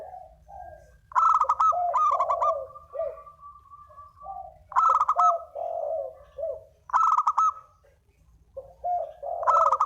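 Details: Spotted dove giving its lure coo, loud cooing phrases with a bright higher first note and lower rolling coos, returning about every two to three seconds, with softer coos between the bursts.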